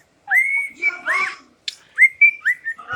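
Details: Pet cockatiel giving clear whistled notes that sweep up and then hold steady, with short rising hooks, split by a pause of about a second. The room is otherwise quiet.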